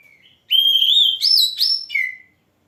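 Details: Oriental magpie-robin song phrase: a long clear whistle rising in steps to a higher sweet note, two quick upward-bent whistles, then a falling whistled ending.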